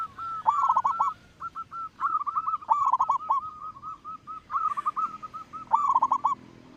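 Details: Big-voiced local zebra dove used as a lure: a near-continuous run of quavering coo phrases and short tonal notes, several bursts overlapping as more than one dove calls.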